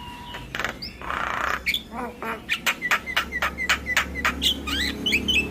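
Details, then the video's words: Javan myna singing, a recording meant to coax quiet mynas to sing: scratchy noisy bursts and short whistles, then a fast series of clipped rasping notes mixed with chirps and sliding whistles. "PAncingan Burung Jalak Bisu Jalak MAlas Bunyi Dengan Suara Jalak Kebo Full isian"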